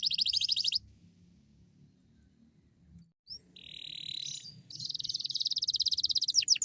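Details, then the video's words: Canary song used to lure other canaries into singing, with rapid buzzy pulsed trills, a brief pause, then a steady high buzzing phrase and a fast rattling trill of many quick notes, over low rumbling background noise. "Suara burung kenari GACOR Cuit cuit nembak AMPUH ‼️ cocok untuk pancingan kenari lain"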